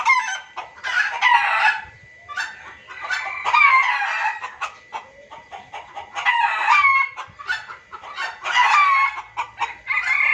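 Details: Lure sound for junglefowl: repeated bursts of raucous cackling with brief rising whistled notes inside, about five busy phrases separated by quieter gaps.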